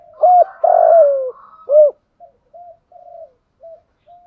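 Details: Decoy spotted dove calling to lure other doves, giving its full song: a few loud, low hollow coos, one long slurred and falling, then a trail of softer short hoots fading away in a quiet setting.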